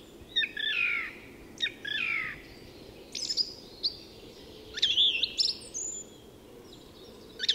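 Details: Song thrush singing at dawn in Tyresta National Park, Sweden, repeating a descending buzzy phrase twice, then varied sharp, high whistled notes in a fast run.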